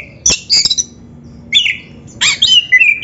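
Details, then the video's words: Oriental magpie-robin, a singing recording meant to coach other birds. It gives loud, sharp chattering chirps, then a high twisting whistle and a final rising-and-falling whistled phrase within three seconds. "SUARA BURUNG KACER GACOR MASTERAN"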